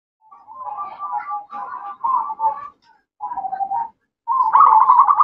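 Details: Zebra dove hen calling to a male: a run of low rolling, purring coo phrases separated by brief pauses.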